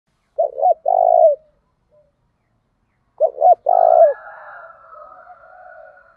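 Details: Spotted dove used as a lure bird, calling in the 'thổ đồng' voice style to provoke fighting: two short throaty coos then a long drawn falling coo, given twice about three seconds apart, with a soft murmuring hum afterward.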